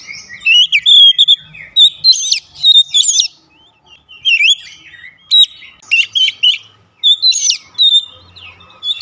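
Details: An Oriental magpie-robin sings a rich, varied run of clear whistles and sharp chirps, played as therapy to get a reluctant bird singing.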